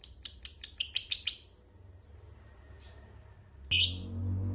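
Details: Lovebird giving a long ngekek chattering song: a quick burst of about seven sharp, high, buzzy notes, then a near-silent pause and a loud harsh note over low background rumble.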